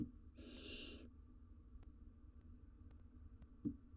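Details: Barn owl family in a wild nest box, the male bringing a rodent to his mate and chick; a single short, breathy hiss-screech, then quiet with soft taps and scratching.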